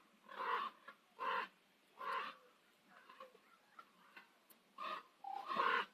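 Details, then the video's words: At sunset on Nose Hill, Calgary, common ravens give three loud, hoarse caws a second apart, then a quiet stretch of soft sounds, then two more rasping calls. "Calgary sunset - Nose Hill Ravens"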